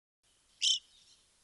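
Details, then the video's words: Evening grosbeak, a large stocky finch of forested regions, gives a single short, loud, high chirp lasting about a fifth of a second, with faint background hiss before and after. "Evening Grosbeak"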